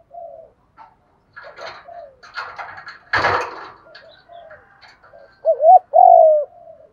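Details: Spotted dove coo meant to stir other doves into cooing and fighting. Clattering rustles and scattered soft notes come first, then one loud two-part low coo closes the passage.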